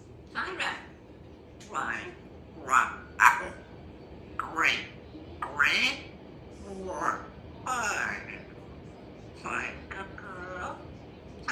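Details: African grey parrot, very chatty, uttering a run of speech-like phrases and squawky syllables in short bursts about a second apart, with a woman's voice nearby.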